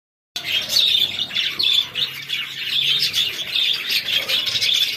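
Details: Chicken chicks feeding, a dense chorus of high, thin peeps overlapping continuously after a brief silent start, with many birds calling at once.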